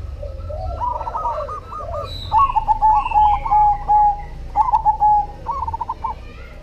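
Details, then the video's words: Actively singing cemani zebra dove giving a run of rapid, rolling cooing notes broken into short bursts, each burst ending in a smoother held coo, with softer cooing from another dove underneath. "SUARA PERKUTUT CEMANI GACOR"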